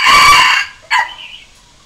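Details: Decoy Red junglefowl crowing to challenge wild birds: the loud, harsh sustained tail of a crow ends, followed after a short gap by one brief sharp closing note that trails off into quiet.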